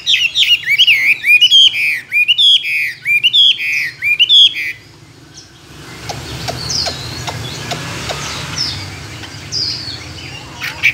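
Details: Tame Chinese hwamei, caged for two years and used for singing contests, singing many wild voices. Loud, varied whistled phrases with fast up-and-down slurs fill the first half, then quieter distant notes and clicks follow.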